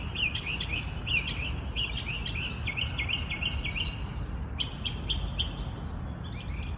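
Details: Morning songbirds in their natural habitat sing rapid chirpy phrases in quick succession, bright twittering notes tumbling over each other, with a quieter caller joining near the end over low ambient noise.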